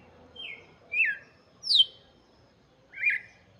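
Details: Red-cowled cardinal singing for chicks: a soft opening note followed by three louder whistles, the third high and sharply falling, the last rising then dropping.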